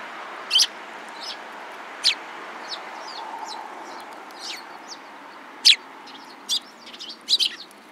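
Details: Sparrows calling with short, bright chirps at irregular moments, a loud single chirp, then a quick double chirp near the end, with softer distant chirps in between.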